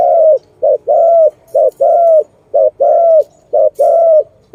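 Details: Zebra dove, filmed during bird trapping, giving loud clear coos: short note then longer slurred note, paired and repeated about once per second, with faint high chirps in the background.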